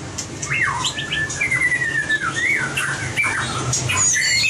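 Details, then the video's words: White-rumped shama song used for competition-singing training: rich whistled phrases with long gliding notes that rise and fall, interspersed with short high chirps, over a low background hum. "Luyện giọng chòe lửa - luyện chòe lửa hót đấu (murai batu)"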